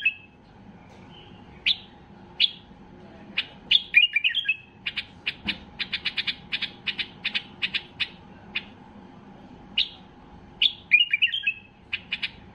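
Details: White-eared bulbul in full excitement, singing to trigger other bulbuls: scattered chirps, quick warbled phrases, then a long string of rapid clipped notes, ending in more bubbling phrases.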